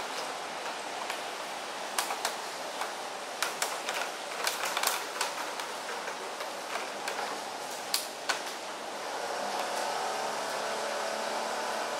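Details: Scattered sharp clicks and taps over a steady background hiss, with a low hum near the end; no animal voice stands out.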